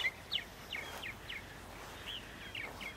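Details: Purple martins heard in Center Moriches, Long Island, New York, on a spring morning, April 14, 2012: sparse, short downslurred chirps spaced about a third of a second apart, fairly faint against a steady background hiss.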